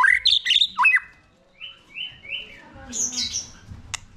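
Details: White-rumped shama song used to stimulate a young shama: a quick tangle of bright whistled notes, a pause, then soft level whistles and a high rasping burst, with faint low background noise.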